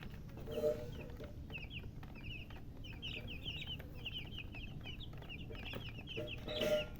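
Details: Chirping of just-born chicken chicks: quick series of high, falling peeps, several chicks overlapping, bracketed by two louder lower-pitched squawk-like bursts near the start and end.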